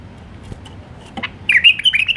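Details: Wild Iraqi white-eared bulbul singing in the Alwazi style: after a quiet start, one short warbled phrase of rapid whistled notes rolling up and down, with faint low hum beneath.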